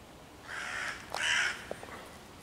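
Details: Hooded crow in a tree near five young raccoons, 11 June 2023, cawing loudly to harass them and call other crows to attack: two harsh, rasping caws, the second louder and slightly longer, then a couple of faint clicks.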